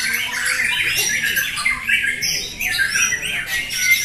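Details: Competing White-rumped shamas at a fighter-class contest in Jatisari, Bekasi, Indonesia, 14 June 2024. Bursts of bright whistles and harsh scratchy notes come in quick succession, several caged birds singing together, with faint crowd noise below.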